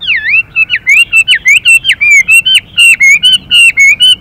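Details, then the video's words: Male Chinese hwamei with a female, singing a constantly shifting song: a dense sequence of bright, swooping whistled notes, each falling then rising, delivered in quick succession with brief gaps. "họa mi hót Đảo Giọng liên tục kèm thêm tiếng chim mái xùy kích bổi nhanh"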